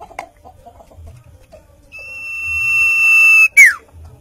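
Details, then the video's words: Common iora (sirtu, cipoh) song: one drawn-out, even, level whistle swelling in loudness, broken off and followed by a brief falling slur, with faint low rumbling behind. "burung sirtu/sirpoh/cipoh"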